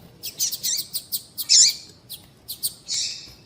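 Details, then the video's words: Female double-collared seedeater call used by breeders to excite males: short high chirps and sharp tui-like notes with a few longer buzzy bursts, irregularly spaced, on a quiet background. "Piado de Fêmea de Papa capim Para Esquentar Papa capim"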